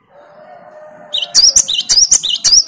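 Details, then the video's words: Great tit replying to another great tit's lure song. A low tonal hum comes first, then loud, piercing high two-note phrases repeated quickly, around five in succession. "Gelatik batu malas bunyi langsung nyaut dengan pancingan gelatik gacor ini"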